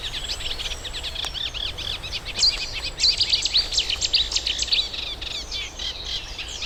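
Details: Eurasian reed warbler singing to attract a mate at Middle Street Meadow nature reserve, UK, early in nest building; loud, rapid jerky chatter of repeated churring and rising whistled notes, each phrase doubled or tripled, fairly close.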